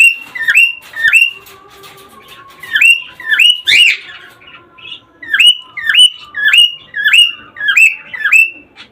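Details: Cockatiel sound meant to encourage cockatiels to mate: a bright whistled note that bends upward then levels off, repeated in a loose series roughly every half second to a second, with a faint low hum beneath.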